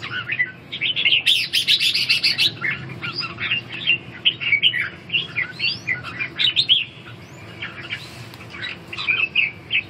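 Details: Red-whiskered bulbuls in a singing duel: a dense, overlapping stream of chirpy warbled whistles, several notes a second and irregular, with a brief loud rustling burst near the start and steady low background hum.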